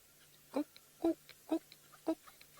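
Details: A southern red-billed hornbill gives its typical call, four low, hollow clucking notes about half a second apart, as it flies over a safari vehicle in the Sabi Sand area, over a faint steady hum.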